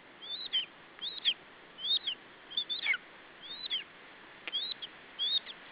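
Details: In Estonia on 21 July 2012, a lesser spotted eagle nestling guards its food from the adult male, giving bright, high whistled calls with a falling tail. They come in twos and threes at uneven intervals over steady hiss.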